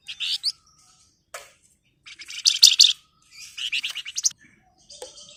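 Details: Flamboyan bird singing a busy, varied song of quick high chirps, buzzy rattles and trilled phrases, loudest in the middle with a dense rattling burst, broken by short pauses.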